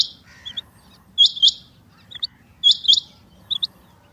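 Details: A female rain quail, or chinga batair, utters bright, high, quick two-note calls, repeated about every one and a half seconds, interspersed with small softer chirps over a quiet, low rumble.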